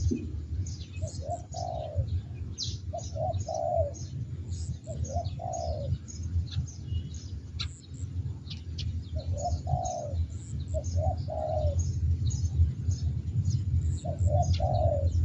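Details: A spotted dove, kept as a decoy bird, gives soft, low cooing phrases in short rolling groups every few seconds, which the owner calls a big "thunder" voice. Thin high chirps of small birds and a steady low rumble sound behind.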